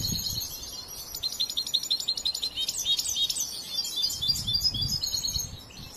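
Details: European goldfinch, a young bird in training that still has work left on its song, delivers fast high twittering with trills and tinkling notes, with a low rumble near the start and toward the end.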